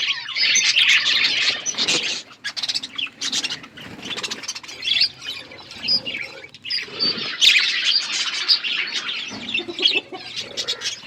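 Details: Budgerigars eating, heard as a group chatter of high scratchy chirps and warbles in waves, broken by brief gaps and sharp clicks and pattering, likely from feeding.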